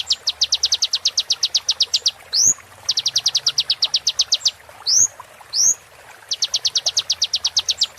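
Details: Sunbird song meant for training caged birds: long, very rapid series of crisp high clicking notes, broken by loud upward-sweeping whistles, then the clicking trill resumes.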